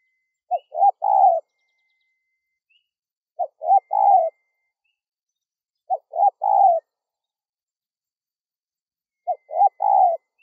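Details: Spotted dove coos for luring wild doves: four repeated three-note phrases at intervals of about three seconds, each short, rising, then drawn out and mellow. A faint steady whine and soft chirps in the background.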